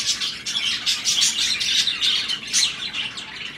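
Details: Budgerigar pairs crossing in breeding season make quick high chirps and squeaks in uneven bursts, roughly two per second, a soft twittering chatter with no other clear sounds.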